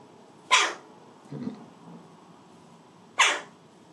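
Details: Young rescued Western jackdaw, about three months old, in July 2019, calling while it holds something stored in its beak: two short, harsh, broadband calls about 2.7 seconds apart, with a faint low thump between them.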